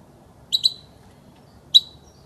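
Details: European goldfinch notes used for song training of young birds: a quick double chirp, then after a pause one more sharp high chirp, clean against faint low hum.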